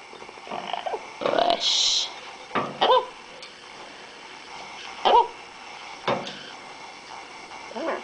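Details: Yellow-naped amazon (Amazona auropalliata), a female pet parrot in her cage indoors, utters a handful of short, voice-like talking phrases and a sharp high squawk over several seconds in a quiet room.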